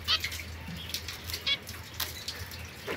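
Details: A young captive zebra finch pair, a white female and a mosaic male kept apart from other birds, on 22 September 2024, giving short, nasal, high-pitched calls, about four in three seconds, over a steady watery hiss.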